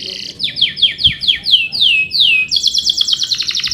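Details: Male canary singing, used as a training recording to prompt young birds; a rapid run of falling whistled notes about five per second, then a fast buzzy rolling trill of high repeated chips.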